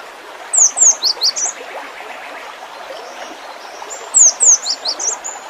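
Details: Two matching phrases of gelatik batu song in 'isian' style. Each holds about six bright, high downslurred notes that step lower as the phrase goes on, separated by a gap of roughly three seconds, with steady hiss behind.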